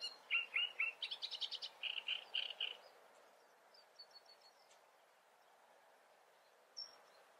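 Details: A great reed warbler in the Eifel, Germany, gives a loud burst of harsh, grating notes in quick groups of two or three, lasting about three seconds, followed by faint, high chirps from another bird.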